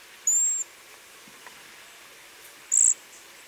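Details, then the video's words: A Cedar Waxwing in winter in eastern North America gives two very high, thin, slightly trilled notes. Each lasts under half a second, about two seconds apart, over a faint hiss. "the cedar waxwing makes high pitched trills along with high pitched whistles"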